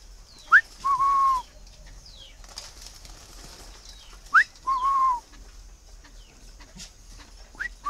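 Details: Captive male Chinese francolin, tame as a farmyard chicken, calling: two full phrases about four seconds apart, each a quick upward note, then a drawn-out clear whistle that falls at its end, the start of a third at the close.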